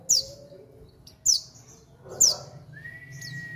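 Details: Horsfield's babbler at Mojokerto giving three loud, very high downslurred notes about a second apart, followed by a clear, steady mid-pitched whistle at the end, with a faint low hum throughout.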